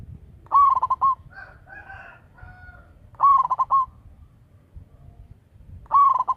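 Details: Local zebra dove, a loud, actively calling bird recorded as a lure, giving three stuttering coo phrases about two and a half seconds apart. Each phrase is a rapid run of short pulsed notes ending in a held note. Fainter tonal sounds come between phrases.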